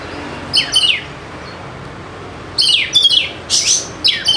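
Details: Oriental magpie-robin, a fighter-type bird, singing as a lure to prompt lazy birds to sing: two short bursts of sharp, descending whistled notes, then a dense run of bright, sweeping phrases after a pause, over a steady low hiss.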